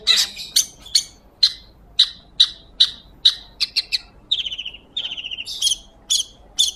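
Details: Clear Long-tailed Shrike song used as tutor audio for magpie-robins: single sharp, ringing notes spaced about every third of a second, then a run of short, flatter buzzy notes and more sharp notes.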